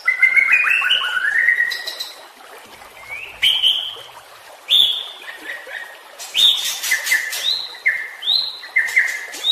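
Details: White-rumped shama training song for caged birds that stopped singing: slurred whistles sliding upward, sharp accented notes, then repeated clear two-part whistles at a steady pace.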